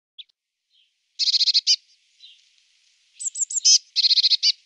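Eurasian blue tit calling: two quick bursts of six or seven rapid, buzzy notes, separated by a few thin, high, down-slurred notes. No other sounds.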